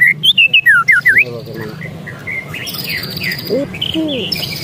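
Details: Agitated white-rumped shama, a brisk run of six or seven clipped, upward-flicking whistled notes in just over a second, followed by faint chatter and murmuring background noise.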